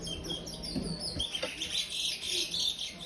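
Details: Five-month-old brown-plumaged chestnut-bellied seed finch, a young bird kept in an aviary, singing in the praia style: a thin, continuous run of high warbled notes, swelling in the second half, over faint background hum.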